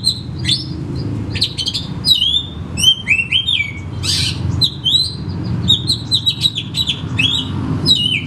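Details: Oriental magpie-robin (kacer) in captivity delivering a varied song meant to provoke quiet birds into singing: quick chips, harsh scratchy bursts and sweet slurred whistles tumbling together almost continuously against a low rumble.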